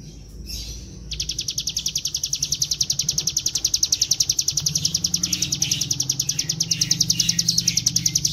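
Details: Bar-winged prinia in the vigorous 'gacor ngebren' singing style, played to lure other birds into singing: after a brief soft note, an unbroken, fast, regular trill of piercing high chips, nearly four per second, over low rumbling noise.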